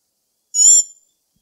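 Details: Single brief, bright, high-pitched note from a black-backed tanager, a sharp chip lasting about a quarter second with a faint lower downward-curving tone beneath, otherwise quiet.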